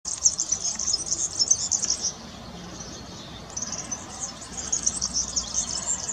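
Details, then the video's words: European serin singing: a high, rapid, jingling and buzzy twitter in two bursts, the first about two seconds long and the second after a short pause, with little else audible. "Verdecillo (serinus serinus) Cantando"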